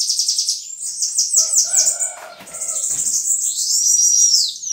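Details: Bananaquit song: rapid high, thin, sibilant notes in fast buzzy runs, first a stuttering series, then a continuous wheezy trill ending in a drawn-out high whistle, with a brief lower tonal sound mid-way.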